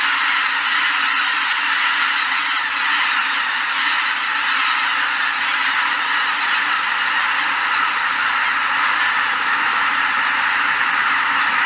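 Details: Flock of greater white-fronted geese lifting off at Izunuma's Shishibana, Japan, 3 November 2023, captured on an R5 with RF16mm STM lens; steady massed honking from countless birds, a thick unbroken wall of calls throughout.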